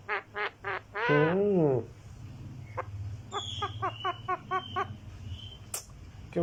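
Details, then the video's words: Green talking parrot: three short clipped notes, then a loud drawn-out wavering call that bends up and down, followed by a series of quieter evenly spaced short yelps. "Talking Parrot green"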